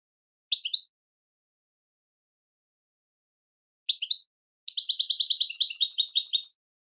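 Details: Goldfinch song used for teaching and training songbirds: two brief high chirp groups, a pause of about three seconds, then a fast, bright, twittering trill of rapidly repeated high notes lasting about two seconds; no other sounds.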